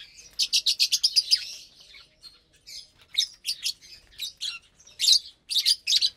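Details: Captive lovebirds feeding together on a Saturday morning; a fast run of about ten sharp, high chirps opens, then scattered loud squeaky calls in short groups.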